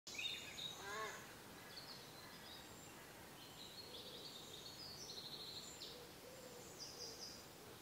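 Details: At a nest box in a bitterly cold early spring with snow on the ground, a returning barn owl gives one harsh, hissing screech of about a second, then faint high chirps from small birds over a steady hiss.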